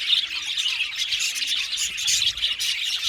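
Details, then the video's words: Budgies squawking and chirping in a crowded, continuous chorus of sharp high scratchy notes, one clearer whistled note near the start. "Budgies parakeets chirping sound | Cute Budgies birds singing sound"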